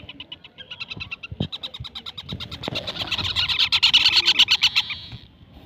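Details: Young parakeet chick calling in a fast series of high chirps that grow louder and denser into a continuous raspy chatter before fading, with a few low knocks early on.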